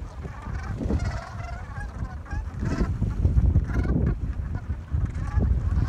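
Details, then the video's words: Communal chatter of gulls before dawn in New England: overlapping harsh, nasal calls repeated rapidly and irregularly throughout, set against heavy low-pitched wind or water noise. "Gulls at Dawn"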